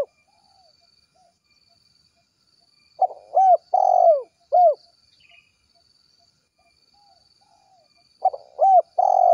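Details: Calling spotted dove in the 'kuk 1' style, addressing its companions: clusters of three or four low, down-curving coos and purrs, separated by long quiet gaps of several seconds with faint softer hoots.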